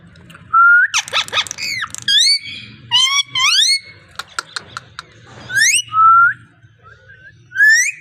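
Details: Talking parrot indoors giving a lively mix of pure rising whistles, harsh harmonic squawks and rapid clicks in loud, close bursts separated by short pauses.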